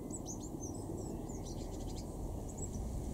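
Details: Eurasian blue tit in a garden in Weener, East Frisia, northwest Germany, June 2023: thin, very high scattered chips with a brief rapid run in the middle, over a steady low hum and outdoor rumble.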